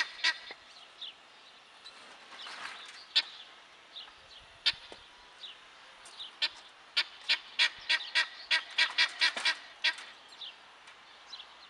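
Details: Male guineafowl calling: scattered harsh squawks at first, building into a quicker series of loud, rasping notes in the latter half, then tailing off over a quiet background.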